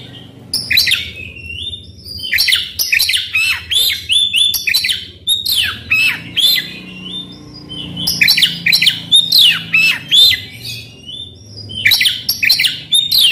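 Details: Full, rough-textured Oriental magpie-robin song meant to prompt a silent bird to sing: rapid series of loud, varied phrases, harsh squawky notes alternating with looping whistles, delivered in three long bursts with short pauses.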